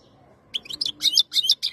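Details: European goldfinch, khloui type, singing while ready to mate in 2022: a dense, rapid jumble of high, buzzy and tinkling twitters with short breaks between phrases.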